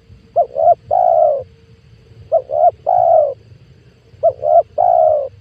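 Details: Spotted dove lure call used to attract wild doves for trapping: low, mellow cooing phrases of two short rising notes and a longer drawn-out coo, repeated roughly every two seconds, with a faint low hum beneath.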